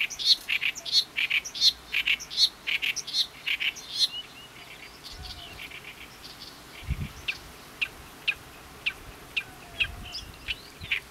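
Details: Oriental reed warbler (Acrocephalus orientalis) in Ishikawa, Japan, singing its characteristic "gyo-gyo-shi" song: loud, harsh chattering phrases of rapid grating notes repeated several times a second, then sparser scattered chirps; low rumble in the background.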